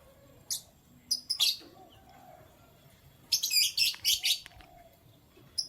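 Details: A canary in the morning gives a few isolated high chirps, then a lively burst of quick twittering notes, with low murmuring in the background.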